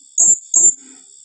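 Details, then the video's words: Blue-crowned hanging parrot in 'tembakan rapat' calling style: one quick pair of piercing high squeaks, with a constant thin high tone in the background. "Suara serindit tembakan rapat"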